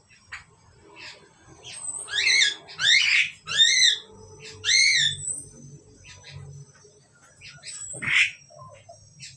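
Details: Asian pied starlings in a pair give a rapid run of four or five grating, descending calls close together, then a pause and a single harsher squawk.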